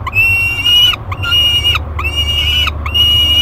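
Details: Peregrine falcon chick, 30 days old, calling from its nest box at Great Spirit Bluff, July 2021: four long, clear wailing notes that rise slightly and hold near a high pitch, with sharp slurred ends and short gaps, against a low steady hum.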